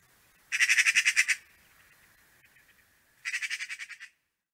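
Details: Eurasian magpie at a garden bird feeder in Latvia during an unusually early snowy winter in late November 2023 gives two harsh, rattling chatters of eight or nine rapid dry notes each, with a pause between.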